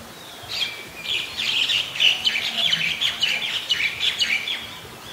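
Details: White-vented myna recorded in Ubon Ratchathani, Thailand, on 18 January 2021: a lively run of sharp, squeaky chirps and short whistled notes, densely packed for about four seconds over quiet background hiss.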